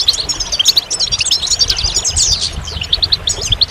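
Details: Goldfinch song: a rapid, jangling stream of bright twittered notes and short liquid trills, high-pitched and continuous, ending in a few repeated chirps, with faint low rumbling underneath.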